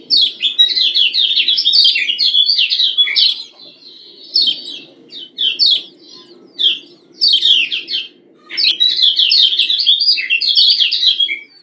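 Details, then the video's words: A female Lombok yellow white-eye gives rapid, high twittering ciak calls in bursts of one to three seconds with short pauses, over a faint low hum. The call is said to make males respond at once. "Ciak Ciak Kecial Kuning BETINA Ampuh Bikin Kecial JANTAN Langsung NYUT-NYUTAN"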